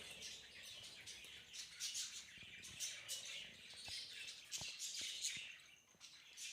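Young budgerigar giving a steady stream of high, scratchy chirps and chattering notes.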